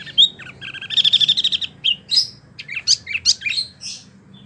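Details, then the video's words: Wambie mini gives a fast, even trill of bright notes, then a medley of varied sharp chirps and sweeping whistles at irregular intervals. "wambie mini super gacor"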